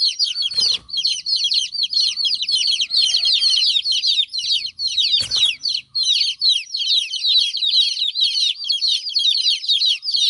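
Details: Several young chicks of a domestic hen cheep loudly because their mother is absent, a steady chorus of piercing, rapid peeps with two short knocking thumps in the background.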